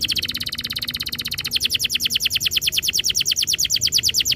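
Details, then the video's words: Canary lure song for making canaries sing rolling trills: a continuous, evenly pulsed high trill that grows louder and slightly slower midway, with rapid repeated notes throughout. "Suara mastetan burung kenari _ PANCINGAN AMPUH KENARI BIKIN CEPAT BUNYI NGEROL GACOR"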